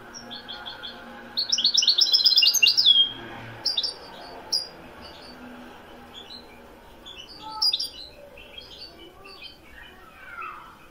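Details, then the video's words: European goldfinch of the Moroccan Widani type giving one dense, fast twittering phrase, followed by scattered faint chirps over a quiet background. "تسجيل طائر الحسون الويداني من أجمل الطيور لسنة 2021... le meilleur chant du chardonneret au maroc"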